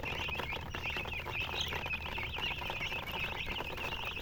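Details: Chickens peep continuously, short high chirps repeated in quick succession, several callers at once, over a steady low hum.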